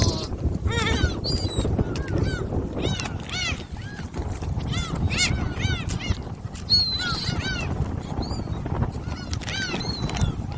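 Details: Many gulls at Jebudo, Korea, calling while being fed shrimp snacks: a steady stream of short, arched yelping cries from several birds over constant low rumbling background noise.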